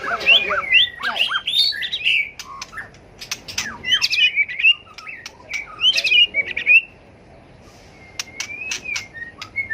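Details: Competitive fighting song of a White-rumped shama trained for singing contests: bursts of rich whistles and trills broken by sharp clicking notes, then a quieter gap and a few thin rising whistles.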